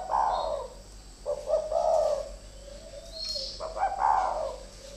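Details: Captive decoy spotted doves in a two-bird fight: overlapping coos, one bird's long low drawn-out note running beneath another's stuttered rolling phrases, with a single bright high chirp.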